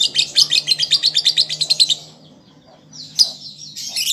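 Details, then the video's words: Young lovebird learning its song: a fast run of about fifteen evenly spaced, sharp, high chirps, then a pause and a few scattered squeaky notes. "Pancingan Lovebird Paud Belajar Bunyi Ampuh Langsung Nyaut"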